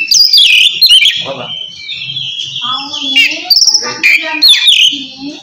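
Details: Oriental magpie-robin, ngeplong song meant to call a rival; loud high slurred whistles and clicks, interleaved with lower, rougher, voice-like harmonic notes in the middle.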